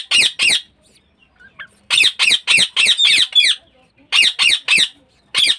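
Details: Budgerigars kept in a cage set up for breeding at home; harsh, scratchy squawks come in quick bursts of two to six notes, split by short silent gaps, with no other clear sounds.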